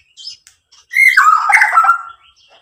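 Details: White-rumped shama song played to provoke rival birds into singing: a faint high chirp, then a loud second-long burst of harsh, rich warbled notes.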